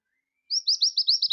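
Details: Scarlet minivet song used as a training master for other birds: after silence, a faint thin tone leads into a quick series of six high, clear slurred whistles, evenly spaced and slightly rising, in a clean recording.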